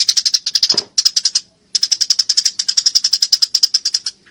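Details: Eurasian tree sparrows in a fight, steady streams of quick, sharp chirps, with one short lower rasping note early on and a brief silence midway.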